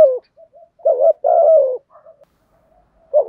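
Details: Spotted dove, thổ voice, in provoking thúc gù cooing: a brief falling note, then a short coo followed by a long level-then-dropping coo, with quiet soft notes after it and a new phrase starting at the end.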